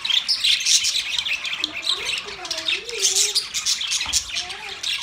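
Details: Budgerigars chatter while mating: a rapid, high warble of squeaks and chirps fills the recording, with a faint lower wavering tone drifting beneath in the middle.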